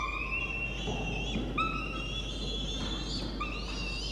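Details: Hungry peregrine falcon chick begs soon after being fed, nibbling its mother's talons. Overlapping, wavering, whining cries rise and fall continuously over a constant low background hum. Recorded 1 November 2021.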